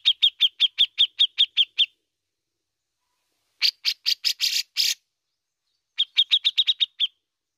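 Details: Bearded bulbul (cucak jenggot) giving besetan and ngepik calls, recorded to provoke other birds into singing: three bursts of rapid, sharp chip notes, the first and last evenly spaced, the middle burst harsher and buzzier.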